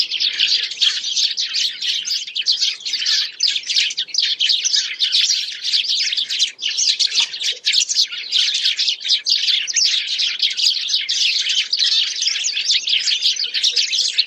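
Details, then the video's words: Sparrows (goriya) in rainy weather give dense, continuous chirping, a busy overlapping chatter of bright, high notes with no pause across the whole stretch. "Beautiful Goriya(Sparrow) calling sound collection"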